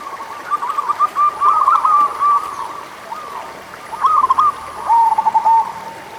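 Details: Local zebra doves singing as a prompt for doves that sing little: rippling trilled coo phrases, a brief lull, then a bubbling phrase ending in a long, level coo.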